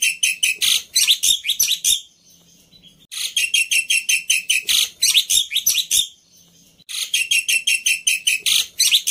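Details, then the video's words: Overly emotional Black-winged myna fighter, a tutor bird for mute starlings, delivering three bursts of rapid, repeated buzzy chatter, each about two seconds long, separated by short pauses. "Burung Jalak Putih fighter Emosi Nya kelewatan || Cocok Untuk Masteran Jalak Bisu"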